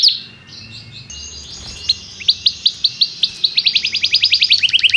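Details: Canary singing to encourage young canaries to pick up song: a soft high warble at first, then crisp sharp chirps that speed up into a quick, evenly pulsed series of bright high notes.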